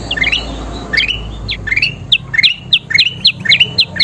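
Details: Kutilang emas bulbul, a masteran recording of gacor singing: a few hesitant rising chirps, then sharper clipped notes repeated roughly every third of a second, over a low droning background.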